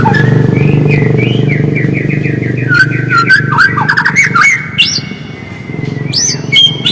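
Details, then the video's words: White-rumped shama song, used as bait to provoke other shamas into singing: a series of whistled notes and looping slurs over a loud, steady low rumble. "PANCINGAN MURAI AGAR GACOR DENGAN SUARA ASLI"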